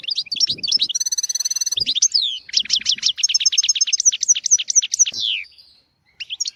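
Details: European goldfinch singing a tutor song for goldfinches and canaries; twittering opens into a long rattling buzz, then a rolling series of clear descending slurred notes, ending in a short pause and a final chirp.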